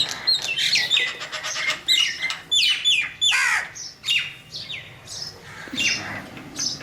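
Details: Crows calling in a busy, overlapping chorus of harsh squawks and sharp, downward-slurred notes, bursts coming roughly every second, with brief higher whistled squeaks mixed in among several birds.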